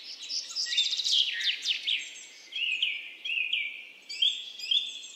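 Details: Pheasant-tailed jacana calling: bright high chirps and whistled notes, some falling and some level, in quick irregular bursts, over quiet background.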